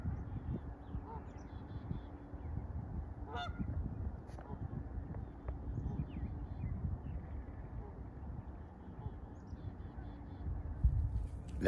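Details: A vocal Canada goose on a riverbank in Saskatoon, Saskatchewan, on 15 May honks a few times. The short nasal calls are irregularly spaced and fairly faint, over a steady low rumble and footsteps.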